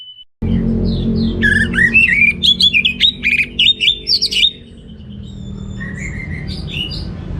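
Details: Orange-headed thrush singing in the teler style with rich material: a dense run of varied whistled, slurred and buzzy phrases in quick succession for about three seconds, then fading to softer distant chirps over a low steady hum.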